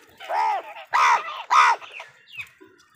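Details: Crow calling angrily while tearing a leaf: three loud, hoarse, arched caws in quick succession, each about a third of a second long, followed by faint softer notes.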